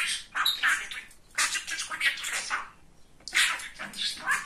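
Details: Male pet budgerigar, called very talkative and funny, babbling: grouped scratchy speech-like bursts with tiny whistled slurs inside them, a short quiet gap before a final louder phrase.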